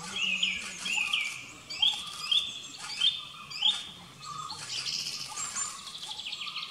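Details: Flame-throated bulbul giving a run of about six short, bright, high chirps over four seconds, each a quick up-and-down whistled note, then softer busy twittering with other faint birdsong behind.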